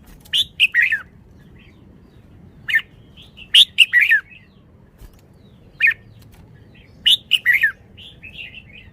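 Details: Red-whiskered bulbul repeating a lively song phrase about every three seconds, each phrase a quick run of sharp, warbled whistles ending in a downward slur, with faint softer notes between phrases over a low background hum.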